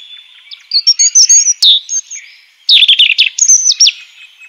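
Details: European robin singing in the wild: two separate phrases of clear, rapid high warbled notes and thin whistles, each about a second long, with a short quiet gap between them.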